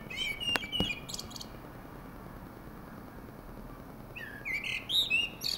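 A thrush sings two bursts of varied, bright phrases, mixing clear whistles with thin, chittering notes, separated by about three seconds of quiet. Faint background hiss.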